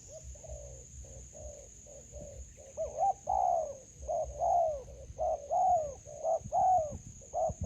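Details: Soft, quiet coos build into louder, rounded notes from a spotted dove during trapping with a decoy in a melaleuca garden. The notes come in irregular short-long sequences over a steady thin whine.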